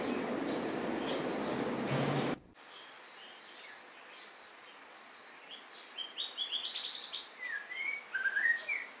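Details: White-rumped shama song. A burst of loud noise cuts off abruptly, then, after a quiet gap, come a series of varied whistled and slurred phrases, some rising and some falling, growing louder toward the end.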